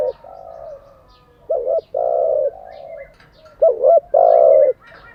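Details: Spotted dove cooing, used daily to train decoy birds: low hollow coos, each a short doubled note followed by a longer drawn-out coo, repeated in pairs.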